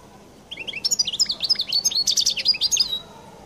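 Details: Distinctive song of a European goldfinch from Collo: a rapid, liquid stream of high twittering chirps, trills and slurred whistles running about two and a half seconds, ending on a drawn-out thin note; indoors with faint background hum.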